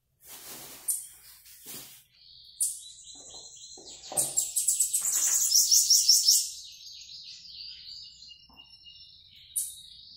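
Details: Bananaquit singing while coming out of moult: scattered thin high notes and short sputters, then a dense buzzy trill of rapid pulses lasting about two seconds, followed by quieter high fragments.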